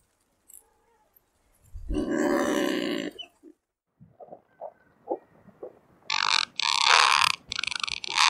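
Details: Razorbill (Alca torda): a long, deep, rasping growl, then scattered soft clicks and ticks, ending in several loud, harsh, noisy bursts close together.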